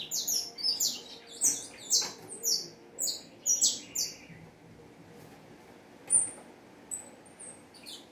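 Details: Saffron finch song: about four seconds of sharp, high chirps and short slurred notes delivered in quick pulses, then a quiet gap broken by a few thin, isolated high notes.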